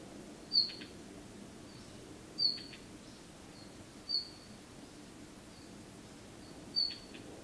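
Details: Red-flanked bluetail recorded 15 December 2018 giving short, sharp high call notes, four in about seven seconds at uneven intervals, over a soft low background hum.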